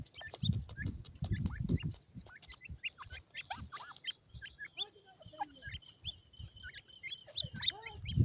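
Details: Grey francolin chicks, white in colour, playing with feed: thin rising and falling peeps scattered over low thumping and knocking sounds from the feeding, with a faint steady whistle-like tone in the middle.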